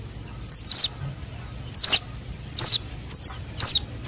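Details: Young sunbirds, konin and sogon, calling as a lure: quick pairs of tiny high chips, each run ending in a loud, thin, downward-curving squeak, repeated about every second.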